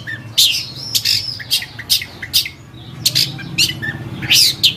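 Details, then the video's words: Long-tailed shrike (cendet) tutor recording for songbirds: harsh, scratchy high bursts repeated roughly every half second, mixed with thin whistled notes, over a faint low hum. "Suara Burung Cendet | Gacor"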